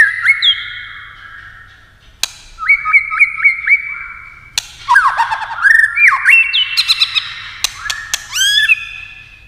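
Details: A fierce white-rumped shama competition song of many voices: a whistled note, a sharp click, then repeated upslurred whistles. Squawky descending phrases, more clicks and rising high whistles follow.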